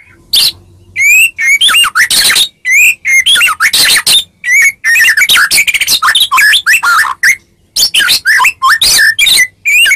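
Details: White-rumped shama, Medan type, giving a fighting lure song: nearly unbroken stream of rich whistles, harsh rasps and quick chirps, with recurring bright upslurred notes and a few short pauses.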